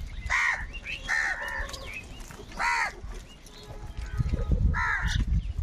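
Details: Crows fighting over food give angry, harsh caws. Four loud, rasping caws come at irregular gaps over about five seconds, over a low rumble of background noise.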